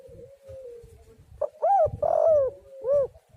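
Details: Spotted dove calling, used as a lure to get other doves singing: a soft low drawn-out coo, then loud arched hooting notes in a short phrase, with faint low rumbling beneath.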